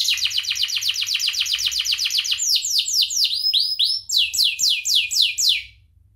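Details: Canary song recorded as a master for teaching other birds: a very fast rattling trill of repeated notes, then slower, louder sweeping downslurred whistles repeated in a series before fading out.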